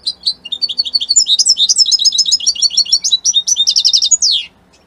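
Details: European goldfinch, Italian strain, delivering a powerful song of tinkling, rapidly alternating notes, rolling buzzy trills near the end and a closing downward swoop, over a faint background hum.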